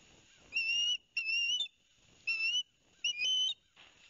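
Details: Nest of osprey young at Barnegat Light, New Jersey, 13 September 2021, noisy during a fish delivery from the father. Four long, piercing whistles, each lasting about half a second, separated by short pauses over faint hiss.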